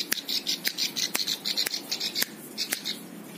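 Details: Prinia used as a tutor bird for training other songbirds, giving rapid high twittering notes in short clustered bursts, with sharp dry clicks scattered throughout.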